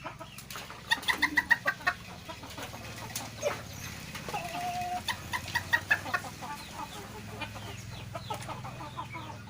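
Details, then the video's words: Hen straining while laying an egg in Desa Firdaus, Sei Rampah, Serdang Bedagai, North Sumatra, Indonesia, nicknamed the dragon-voiced chicken by neighbours; bursts of rapid, harsh clucks come in fast series, pausing and resuming several times. "AYAM BERSUARA ANEH!!"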